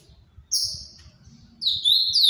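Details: Ultramarine grosbeak of the Paraná song type: one long, clear high whistle, a short pause, then the start of a quick descending whistled phrase.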